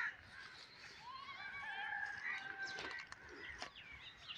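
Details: Cranes (koonj) kept as hunting decoys, several voices giving overlapping rising tonal calls and drawn-out wavering notes, with scattered clicks and faint background noise.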